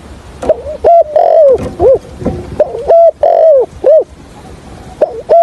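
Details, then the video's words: Spotted dove, used as a decoy bird for trapping, gives its call and stuttering coo: soft, hoarse phrases of a few notes, each rising then falling, repeated roughly every two seconds against a quiet background. "Tiếng cu gáy Gọi +gù cà lăm"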